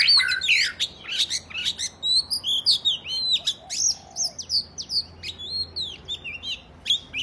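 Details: Oriental magpie-robin fighting song meant to provoke other males into spreading their tails; a rich run of varied whistled and buzzy phrases, swooping notes and sharp chirps, delivered in quick bursts with little pause.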